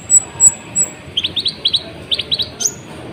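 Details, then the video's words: A sunbird sings energetically as bait to rouse other birds: a few thin high whistles, then quick paired and tripled sharp chirps in clusters, ending with a piercing high note. "PANCINGAN KONIN GACOR, AMPUH BUAT MENAIKAN EMOSI BURUNG"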